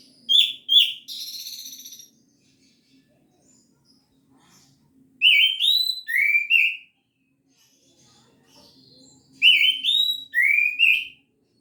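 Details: Orange-headed thrush singing in gacor teler style; bursts of clear whistled, slurred notes in tight groups, separated by pauses of about three seconds, with a faint low hum behind.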